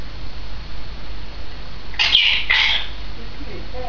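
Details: Two loud, raspy squawks in quick succession, half a second apart, come from a two-year-old female grey parrot on 16 May 2010, followed by quiet background.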